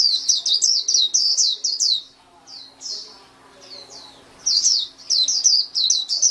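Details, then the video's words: Song of a white-eye, fast high chirping phrases of falling slurred notes, a quieter pause with scattered single notes midway, then a lively twittering burst again. "SUARA MAHAL KICAU BURUNG PLECI"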